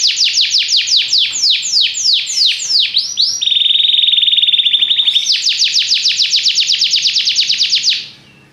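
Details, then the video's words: Belgian canary in full song: repeated loud falling whistles, a sustained steady pure-toned trill at lower pitch, then another fast series of bright sweeping notes before the song stops. "espetacular canto canário belga"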